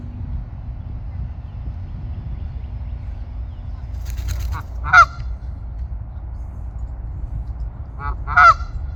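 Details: Canada goose at a pond calling with two loud, sharp honks about three and a half seconds apart, a fainter honk before the first, over low steady background rumble.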